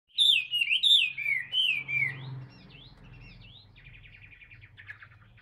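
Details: Caged, tamed Chinese hwamei singing: loud clear slurred whistles swooping down and up, about six phrases in two seconds, then fading into soft fast chattering notes, with low background hum.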